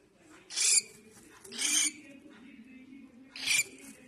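A young cockatiel gives three harsh, raspy, hissing calls, each under half a second, spaced irregularly over a low indoor hum.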